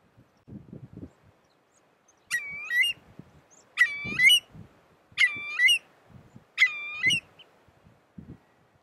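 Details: Eurasian curlew (Numenius a. arquata) at Spiggie, Shetland, UK, July 2013, giving four loud, rich calls that rise at the end, spaced about one and a half seconds apart, over low rumbling background noise.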